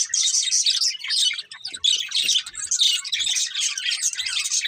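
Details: Budgerigars twitter in quick bursts, high scratchy chirps and warbles packed closely together, with several brief pauses and faint low clicks.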